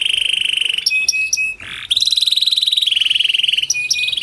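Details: Kenari panda canary lure song for reluctant singers: a steady rolling trill, clipped high notes, a short noisy burst, then a long fast trill with higher overtones.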